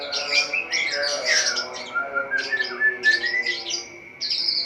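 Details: Caged white-rumped shama at dawn, cage cover opened: harsh squawky high notes mixed with short whistled slurs, uneven bursts with a brief lull near the end before a final high buzzy phrase.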